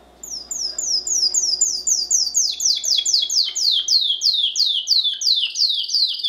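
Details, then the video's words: Timbrado canary song for training other canaries: a fast run of sharp, downward-sweeping high notes, about three per second, repeated steadily after a brief quiet start, with a faint low hum underneath. "CANARY SINGING BEST VIDEO TO TRAINING CANARIES"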